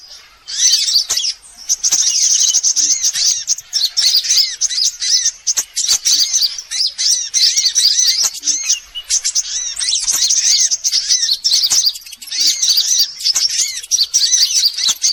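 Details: Sunbirds heard in a lure recording aimed at all kinds of sunbirds: long run of dense, shrill twittering and trilled chirps from several birds, with a few brief lulls.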